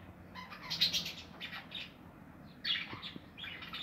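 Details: Nesting budgerigars in a home aviary, 2020: clusters of high chirps and warbled notes, a loud burst near the start and another later, separated by quieter murmuring chatter.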